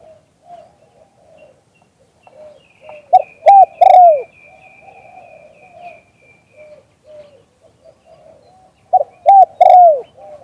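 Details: Live recording of a spotted dove calling in the "liu tan" style. Two loud three-note coo phrases come about six seconds apart, and quieter cooing from other doves fills the gaps, along with a faint high thin whistle.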